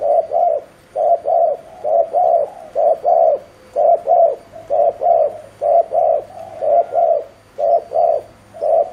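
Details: Decoy spotted dove repeating fast 'gù' coos meant to draw in wild doves, steady paired hollow notes at roughly one pair per second throughout, loud and clear.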